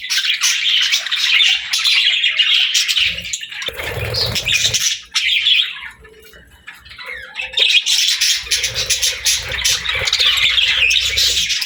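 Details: Several pet parakeets at play, chattering in rapid, scratchy high chirps and squawks, a brief quieter lull midway with softer warbling notes, then the lively chatter resumes.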